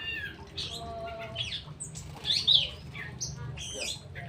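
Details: Straw-headed bulbul kept so that it feels comfortable, as in the wild: loud, varied whistled phrases, rising and falling squeaky notes and harmonic chatter in quick succession, with a low steady hum underneath.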